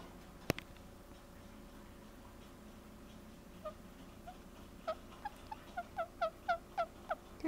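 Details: Pet rose-ringed parakeet chirping softly during its first petting, a short run of faint, quick chirps repeated several times a second in the second half, after a quiet start in a small room.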